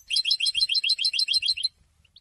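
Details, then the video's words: European goldfinch delivering a steady string of bright, evenly spaced twittering notes, about six per second, lasting under two seconds, with faint low background thumps. "super goldfinch singing"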